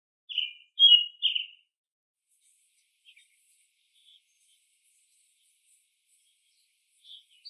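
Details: American robin, one of several robins of different ages foraging and singing in a chorus with other birds: three loud, short, slurred whistled phrases in quick succession, then a few faint distant notes and a long quiet gap.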